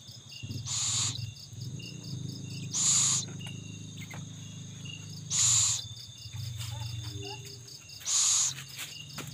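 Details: Owl with its young while feeding: four evenly spaced harsh hissing bursts, one every two to three seconds, over a low hum and a dense cricket chorus.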